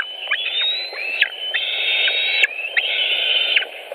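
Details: At a Latvian white-tailed eagle nest with fish, evening of 5 July 2018: drawn-out high whistled notes that rise gently and then drop off abruptly, about one every second, over constant low background noise.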